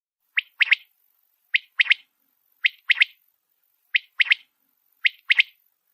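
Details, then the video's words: Rain quail (batair) calling a sharp, metallic phrase, one clipped note then a quick doubled note, repeated about every 1.2 seconds, in a quiet background. "بارش والے بٹیرے کی اواز"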